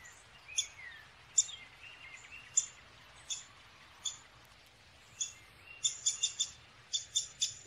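Downy Woodpecker giving sharp, high 'pik' notes, spaced at first, then quicker in a closing burst of about eight, with faint softer twittering early on.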